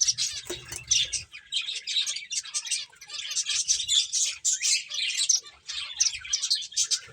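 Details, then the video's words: High twittering chirps from finches playing, crowded and continuous, with a few louder squeaky notes and faint low bumps at the start. "Cute Birds Chirping Sounds | Beautiful Finches Playing"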